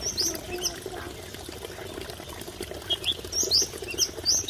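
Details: Masked wagtail at Mahodand Lake giving short, sharp, high chirps in two loose bursts, over a steady rushing background like flowing water.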